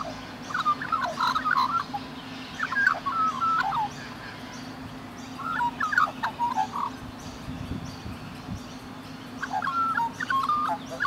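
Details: Rainbow lorikeets in Australia, a bonded pair cuddling and grooming each other, give soft, squeaky chattering in three bursts of a few seconds each over a steady low hum.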